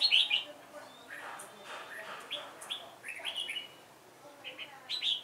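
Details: Decoy red-whiskered bulbul singing short, bright whistled phrases, some slurred upward, in scattered bursts every second or so against a constant hiss of background noise.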